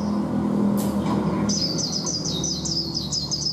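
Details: A caged, wild-caught Chinese hwamei, kept about a month and urged to sing, bursts into rapid, high, clear whistled phrases that swoop up and down, repeated several times a second, over a steady low hum of traffic.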